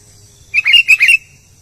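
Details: Albino sooty-headed bulbul singing: a brief burst of three or four bubbly, whistled notes that rise and fall in quick succession, over a quiet low hum.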